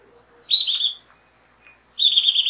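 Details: Rufous Gnateater song: a short buzzy, rapidly pulsed high trill, then after a quiet pause with a faint thin upslurred note, a second similar trill begins and runs to the end.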